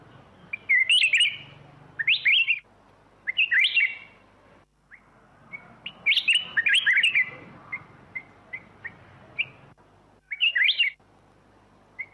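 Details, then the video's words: Repeated liquid, warbled phrases from a black-crested bulbul, several quick bursts close together, mixed with short single chirps between them, over a quiet background. "เสียงนกปรอดเหลืองหัวจุก (ສຽງນົກຫອນຫົວຈຸກ)"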